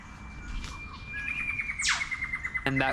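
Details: During a morning bird walk at Samford Eco-corridor near Brisbane, Australia, an Eastern Whipbird gives a long, steady high whistle ending in a sudden falling whip-crack; a brief harsh chatter from another bird follows near the end.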